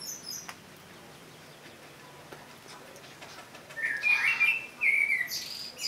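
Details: A common blackbird gives one song phrase after a quiet start: a short, rich whistled warble that breaks into a high, scratchy twittering flourish at the end.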